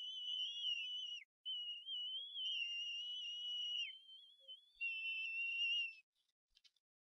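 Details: Bald eagle eaglets at the Harrison Bay nest on 18 May 2015, crying as a parent brings food. The self-feeding siblings squabble over the food. They give high, thin, wavering whistled cries in long overlapping strands, as if harmonizing.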